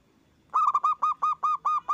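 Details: Zebra dove in loud voice on a lure recording for other doves: a rapid, steady series of about nine rounded cooing notes delivered in under one and a half seconds.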